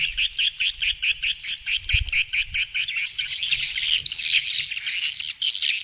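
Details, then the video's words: Swiftlets from Vietnam, used to call swiftlets into bird houses: regular buzzy chips about twice a second, then merging into a continuous rasping chatter. "Tiếng chim yến kêu đã được chứng minh ||Tiếng chim yến kêu từ Việt Nam"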